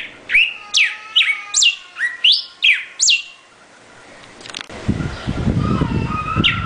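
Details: Bright repeated whistles from a northern cardinal, each note sliding sharply downward, seven or so in quick succession, then a pause and rustling background noise with a soft whistle at the end.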